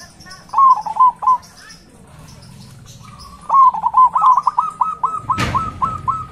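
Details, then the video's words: Local zebra dove giving a loud, big-voiced cooing song, used as a lure to rouse other doves: two bursts of rapid, bouncing coo notes repeated in quick series, with one sharp click near the end. "Perkutut lokal warna SUARA SUPER - suara besar istimewa"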